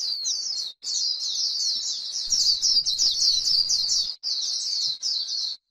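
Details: Líu-style white-eye song from a grassland setting, a stimulating song: bursts of very rapid, high, jittery chatter separated by brief gaps, with soft low noise in the middle.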